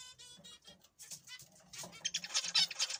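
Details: Brief burst of zebra finch calls: short harmonic nasal notes, first spaced, then crowding into a louder, buzzy cluster.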